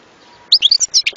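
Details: European goldfinch uttering a brief cluster of bright, high whistled chirps after a short silence.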